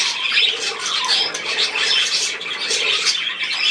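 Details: Budgerigars calling in a continuous rough, chattering chorus of squawks and chirps, loud and dense throughout.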